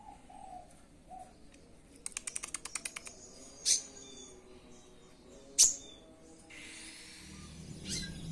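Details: Sunbird (konin) given a high-dose nectar mix for five days to raise breeding drive, now showing fighting style: a quick burst of about eight high, dry ticks, two sharp squeaky notes and a brief buzzy rattle.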